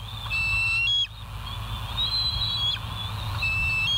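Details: Bald eagle on a live wildlife cam at West End, 12 September 2023, 04:28: a series of high, clear whistled notes with slight pitch steps comes in several bursts, set against constant low-frequency rumbling.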